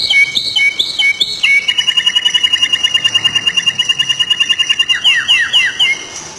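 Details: Stone-curlew giving a long run of rapid, evenly spaced whistled notes on a steady pitch, about six per second, after a few wavering opening whistles and ending in downward-slurred notes.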